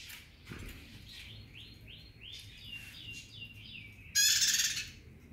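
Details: Soft, repeated, arching whistled notes from another bird come first, then a single loud, buzzy, rapidly pulsed burst from a bar-winged prinia singing actively near the end.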